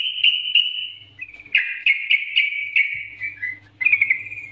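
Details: Bulbul master song for prompting birds to sing: a sustained clear whistled note, then a string of quick slurred notes and a final short warbled phrase, with a low hum underneath.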